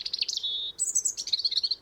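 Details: European Robin singing one short verse: thin, high, watery warbling phrases that shift between higher and lower pitches, a sustained whistle then a sudden very high sweet section, ending in rapid trilled notes; faint background hiss.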